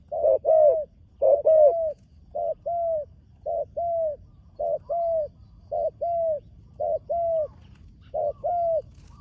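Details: Spotted dove, a young bird being trained on a competition ground for its first time. It gives rhythmic low cooing phrases, each a quick note followed by a drawn-out coo, with uneven gaps between repeats and soft background hum.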